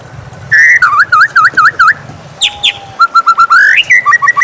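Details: Morning song of a white-rumped shama, rich whistled notes dipping in a quick series of five V-shaped slurs, then a pause and a run of short even whistles ending in rising and falling phrases.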